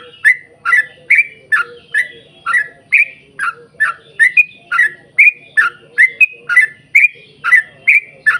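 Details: Non-stop 'ropel panjang' song of a yellow-vented bulbul, played to coax other bulbuls into singing; rapid chain of liquid, slurred chirps repeating roughly every 0.4 seconds, with a faint low hum.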